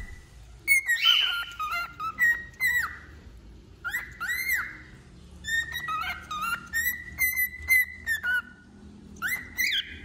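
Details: Singing wild-type male cockatiel, delivering clear whistles in short bursts, level tones with quick upward or downward flicks, grouped into phrases separated by brief silences.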